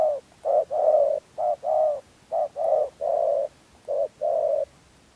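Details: Spotted dove cooing, used as a trapping lure in Dak Lak, Vietnam: low, soft hooting coos in groups, each a short note followed by a longer drawn-out one, repeated several times with brief pauses.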